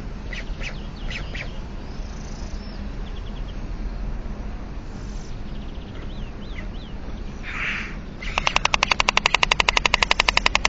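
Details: White stork bill clattering, mother and young at a webcam nest in Alcalá de Henares, Spain: a burst of rapid, evenly spaced dry clacks near the end, after scattered faint calls and thin whistled notes from other birds.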